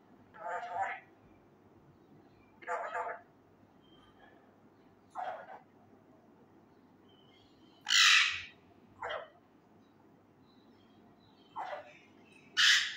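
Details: Young male ringneck parakeet indoors, trying to say Urdu phrases loudly: a series of seven or eight hoarse, speech-like bursts and a few piercing screeches, spaced irregularly one to three seconds apart over thirteen seconds.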